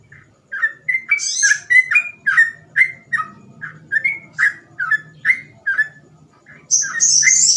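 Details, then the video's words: Sooty-headed bulbul in rapid 'gacor ropel' song with imitable phrasing: a steady chain of short whistled notes, an early harsh burst, and a loud buzzy high rasp closing the phrase. "burung trucukan gacor ropel cengkok mudah di tiru"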